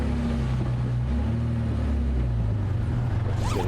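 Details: Steady low vehicle engine rumble with droning hum throughout a morning safari drive, ending in a brief squeak and hiss.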